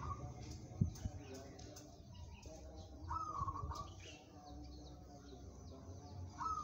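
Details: Zebra dove of local stock, described as suited for song contests, giving two short bubbling coo phrases about three seconds apart, with faint clicks and low background hum.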